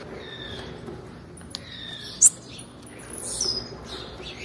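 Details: Female blue-black grassquit call, used to stimulate males: a sharp, very high chirp near the middle, then a thin descending whistle-like note a second later, over a steady hiss.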